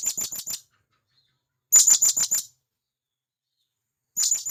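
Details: Forest-dwelling wild blue-crowned hanging parrot calling to its companions: three separate bursts of four to five thin, shrill, very high notes, spaced about one and a half to two seconds apart, no other sounds.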